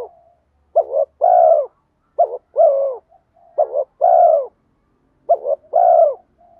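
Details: Lure calling of a spotted dove, 'giọng đồng' voice with urging 'thúc' coos and 'mắt me' accompaniment to draw wild doves quickly; three phrases of a clipped double hoot then a drawn-out descending coo, with soft hums between.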